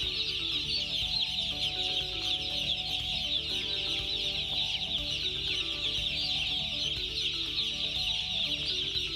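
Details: Broiler chicks in a dense, continuous chorus of high, thin peeps, overlapping and rapid throughout, with a steady low tonal hum underneath.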